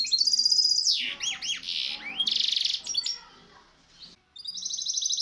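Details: Loud varied song of a misto hybrid canary, recorded to train young birds: a fast ringing trill, swooping downward-slurred whistles, dense buzzy stretches, a brief lull and a closing high trill.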